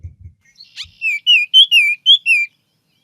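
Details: Female Baltimore Oriole song, shorter and less complex than the male's: six clear, short whistled notes, several slurring downward, in a quick run of about one and a half seconds, after a few soft thumps.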